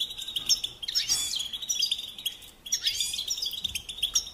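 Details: Goldfinch song in two bright bursts of rapid, liquid twitters with down-slurred notes, separated by a softer stretch, over a constant high chirping chorus.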